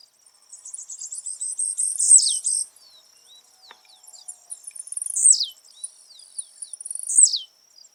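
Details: Blue-black grassquit in the wild, giving three emphatic falling buzzy notes about every 2.5 seconds, each preceded by a rattling stutter of short clicks; a continuous high-pitched insect drone runs underneath.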